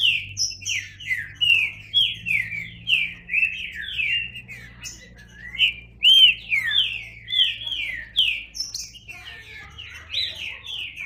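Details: Green-winged saltator in sustained song, a rapid, continuous chain of slurred, descending whistles and short warbled notes lasting about eleven seconds, with soft low hum beneath.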